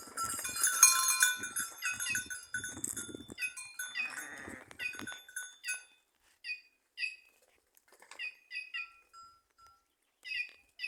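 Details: In trees at Simões, Piauí, in Brazil's northeast, a white-naped jay opens with a dense burst of harsh, chattering notes. These give way to spaced, bright, nasal single calls separated by short silences.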